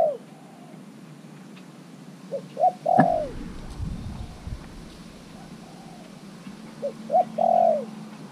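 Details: Spotted dove kept caged as a decoy for three months, calling wild birds to join; soft coo phrases ending in a drawn-out coo, a sharp knock midway, and low hum in the background.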